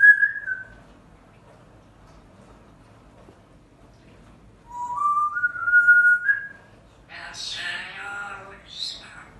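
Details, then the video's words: Timneh grey parrot whistling a rising slurred phrase after a short opening note, then a harsher, noisy squawk-like burst at the end. "Timneh Jako"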